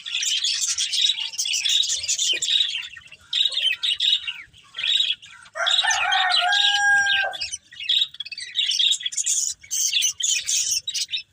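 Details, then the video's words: Breeding pair of colourful budgerigars chattering in continuous, scratchy high warbles broken by short gaps. Midway a clearer, lower whistled note is held for about a second. "Colourful Budgies Chirping Sounds"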